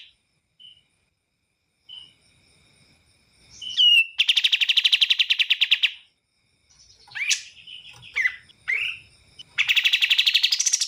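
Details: Bar-winged prinia: scattered soft notes and whistled upslurs lead into a loud, fast train of clipped notes. Chattering, twisting phrases follow, then another rapid series starts near the end.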